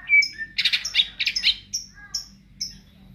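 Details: Ngentrok-style song of a greater green leafbird: a whistled rising note, then a quick rattling cluster of harsh high chirps, then spaced clipped whistles fading out.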